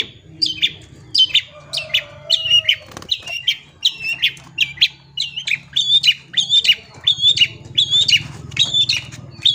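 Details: Long-tailed shrike song for tutoring young shrikes and prompting shrikes to sing: bright high chirps, often doubled, repeated steadily more than once a second over a faint low hum.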